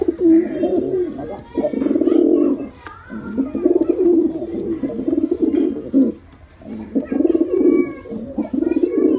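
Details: Deep, burbling pigeon coos in long rolling phrases broken by short silences, roughly half a minute's pace of bouts, with a thin whistled note and faint clicks heard above.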